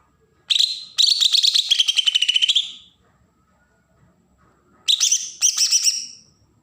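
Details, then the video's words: Kalimantan green leafbird from Berau, Borneo, giving agitated besetan song used to provoke untrained birds: two loud bursts of rapid, buzzy, chattering notes, the first lasting over two seconds and dropping slightly, then shorter bursts after a pause. "cucak ijo Kalimantan suara besetan pancingan burung bakalan"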